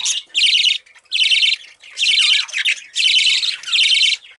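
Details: Chirping from a baby budgerigar (parakeet): rhythmic grating buzzy bursts, each under a second, repeated about once a second in a steady series of six, recorded up close indoors.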